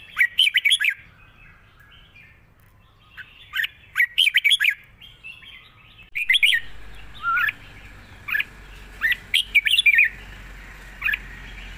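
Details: Long trilled song of a Red-whiskered bulbul, which sings readily. Lively chortled phrases of three or four quick whistles repeat with short pauses. Crisp clicks accompany several notes, and a low rumble enters midway.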